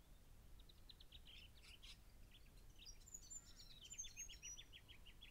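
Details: Juvenile Grey Fantail recorded on 10 October 2012: quick runs of short, high, thin chirps, first in loose clusters and then a fast even series of sharp squeaky notes, several per second, over soft outdoor background noise.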